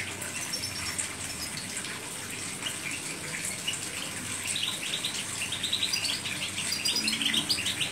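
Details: European goldfinch singing high, thin twittering notes that grow busier and louder in the second half, over a steady rushing background like running water.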